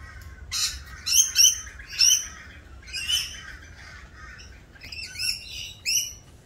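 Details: Screeching rainbow lorikeets during their mating-season dance: sharp, loud high squawks with ringing harmonic tones, about a dozen irregular calls, a cluster near one to two seconds.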